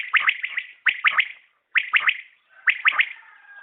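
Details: Common quail (batair) calling: crisp triple notes repeated roughly every second, each phrase a quick three-beat burst followed by a pause, with a faint lingering tone at the end.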